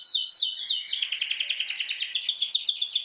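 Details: Canary song used to stimulate other canaries to sing: a few slow sweeping whistles, then a fast, even rattle of high notes pulsing about seven times a second.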